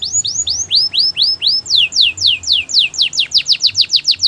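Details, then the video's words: Gloster canary singing a rapid tour of loud, downward-sweeping whistled notes, about four per second, speeding up in the second half; faint low hum underneath. "Gloster canary singing"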